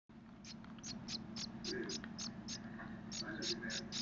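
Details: Hand-raised Gouldian finch chicks, possibly blue, begging while being fed: rapid, high, scratchy chirps about three to four a second over low murmuring voices and room noise.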